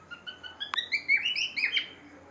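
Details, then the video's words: Caged pet cockatiel giving a short whistled song fragment, a string of clear, slurred notes climbing and dipping in quick succession, with one sharp click partway through. "Cocktail bird singing so well"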